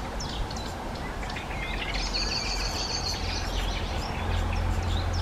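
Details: Black redstart, a bird that now lives mainly in human settlements, sings a short scratchy phrase with a buzzy, crackling middle section above constant low traffic-like rumble; a garden redstart sings in the background.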